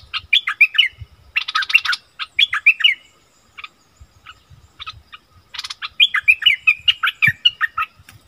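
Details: Wild striated bulbuls arguing fiercely, recorded 8 February 2021: bursts of harsh buzzy rattles alternate with quick bubbling whistled phrases, with short pauses between exchanges.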